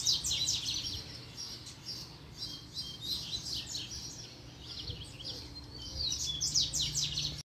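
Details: Double-collared seedeater, a caged male excited after a female appears, in a song-training session: rapid bursts of high, thin chirps and short trills, repeated in dense clusters over a steady low background hum.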